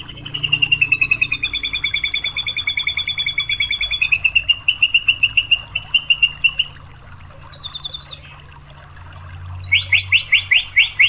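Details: White-rumped shama song used to provoke other shamas into singing: long fast trills at high and mid pitch, a quieter gap with soft notes, then a loud rapid burst near the end.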